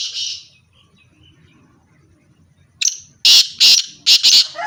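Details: One buzzy note from a black francolin pair fades out. A long pause follows, then a sharp clipped note and four very loud, harsh, grating notes in a rapid, uneven series.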